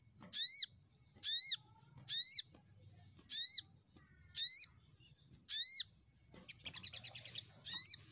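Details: Crimson sunbird singing to lure rivals: loud arched, ringing notes repeated roughly once a second, six in a row, then a fast stuttering trill and one final arched note.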